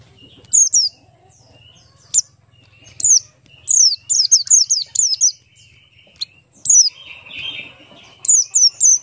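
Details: Buxtoni Oriental white-eye singing ngalas style, a lure to get other white-eyes singing fast: bursts of sharp, high, downward-sweeping whistles, often in quick runs of three to five, with short pauses and a soft low hum.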